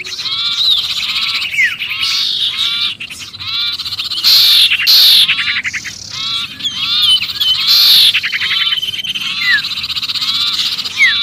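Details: Sirpu giving a noisy distress call as if trapped, used as a lure for other birds: dense chattering of harsh, buzzy notes with down-slurred whistles, rising and falling without a steady rhythm, with short louder bursts.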